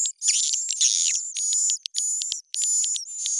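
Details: A played-back edible-nest swiftlet lure recording, upgraded with raised pitch and tempo, gives dense high twittering chirps and buzzy trills in second-long bursts with brief gaps; used to attract swiftlets to a bird house.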